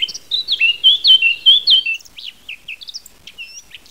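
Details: A Eurasian blackcap (Sylvia atricapilla) in Europe/the Jura sings a bright, fast warble of clear whistled notes for two seconds, then trails off into softer, scattered high chirps.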